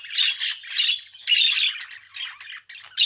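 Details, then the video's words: Short burst of budgerigar chatter: loud, raspy squawk-like phrases alternating with softer twittering, ending on a sudden sharp note. "Kuş sesi - Muhabbet Kuşu"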